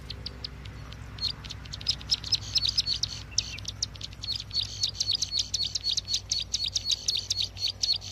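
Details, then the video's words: Bar-winged prinia sound used as a trapping lure: irregular high chips building into a quick, steady series of sharp high notes, over a faint low hum. "Suara pikat burung ciwa/cici glaga/ciblek sawa"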